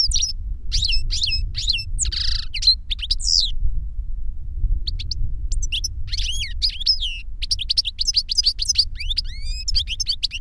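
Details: Goldfinch song, an older bird teaching a younger one: dense runs of bright, liquid twitters and upward-curving whistled notes, with one harsh buzzy note early on, continuing almost without a break over a low background hum.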